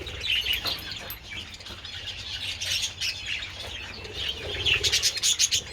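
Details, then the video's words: Budgerigars enjoying treats in sunshine on 27 February keep up a high, scratchy warbling chatter, ending in a burst of sharp clicking chirps near the end. "Adorable budgies enjoying treats in the sun"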